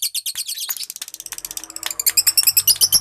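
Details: Lovebird being trained to sing the ngekek style, a long chattering song: rapid high, sharp chirps starting in uneven clusters, then tightening into an even rattling series of about ten notes per second.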